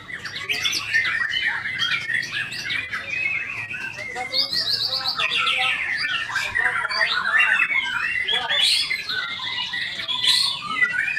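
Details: White-rumped shama pouring out a rich, rambling song of clear whistles, quick trills and chirps, pitch jumping up and down from phrase to phrase, with murmuring voices behind.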